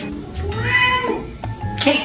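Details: A grey parrot imitating human voices gives voice-like, meowing mimicry: short tonal phrases that bend up and down, over faint background music.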